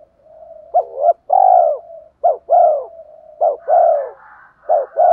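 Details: Spotted dove cooing, used to provoke a fight: short arched coos and longer throaty rolled notes repeated in irregular bursts, with a soft continuous hum between phrases and a fainter higher warbling near the end.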